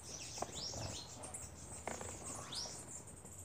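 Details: Bananaquits (Coereba flaveola) gathered at a feeder give thin, high, upslurred squeaky notes, two or three over a few seconds, against a steady hiss and soft pattering.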